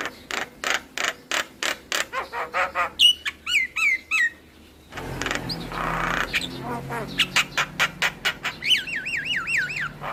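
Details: Javan myna song used to lure other mynas into singing: rapid series of sharp clicking notes, then wavering whistled trills and harsh squawky phrases, ending in a looping warbled whistle.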